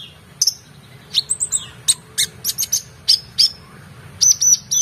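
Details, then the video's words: Oriental magpie-robin song used as a tutor recording for competition birds: clipped high-pitched chirps in quick bursts, several bright upslurred whistles, and a rapid repeated note series at the end over faint low hum. "KONIN GACOR EMOSI FULL BONGKAR ISIAN MEWAH‼️Cocok Untuk Masteran Burung Lomba"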